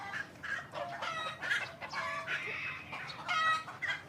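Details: Hybrid Indian junglefowl crowing in a drawn-out, harmonic, somewhat hoarse cock-a-doodle-doo with several rising and falling phrases, mixed with other clucking fowl nearby.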